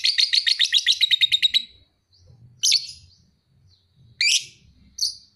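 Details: Young kept lovebird aged about two and a half months, praised as a fighter, opening with a fast series of about fifteen shrill chirps, followed by three separate loud rasping squawks spaced a second or two apart.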